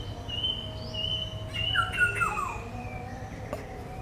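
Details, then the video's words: Black-hooded oriole uttering a single harsh, nasal, descending call midway through, while a thin continuous high whistle sounds in the background and a sharp click is heard near the end. "Black hooded oriol bird is calling"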